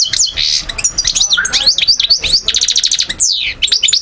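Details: European goldfinch from Algeria, 2012, singing a fast varied song: liquid twitters, swooping slurred whistles, a rapid clicking rattle in the middle and a long descending sweep near the end.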